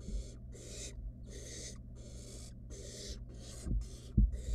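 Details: Wild barn owl nestling in a monitored nest box, playing with food its mother delivered: harsh, breathy, broadband hisses repeated roughly every second with short gaps, plus a few low thumps and a steady low hum.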